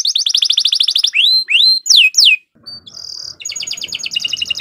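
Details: A bottle-green canary in strong contest song delivers a fast trill, then rising and falling slurred whistles. After a brief pause come high steady notes and renewed trilling.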